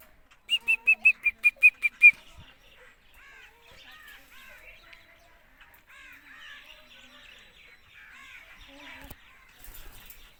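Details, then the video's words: Indian ringneck parakeet: a rapid run of about eight loud, harsh, evenly spaced screeches, then quieter rambling chatter and soft warbled, speech-like mumbling. "indian ringneck parrot | parrot talking"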